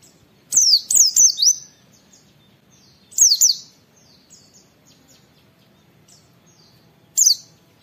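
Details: High, thin "wit wit" calls of an oriental white-eye, played as a tutor and lure for other caged white-eyes. A fast burst of three down-slurred whistles, a pause, a pair of similar notes, then one final sharp whistle. Faint background hiss.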